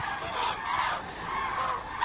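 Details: A large flock of Common Cranes arriving in Segovia, Spain, in unusually warm November 2023 weather builds from a few birds to several thousand, filling the air with overlapping trumpeting, rolling calls in a continuous dense chorus.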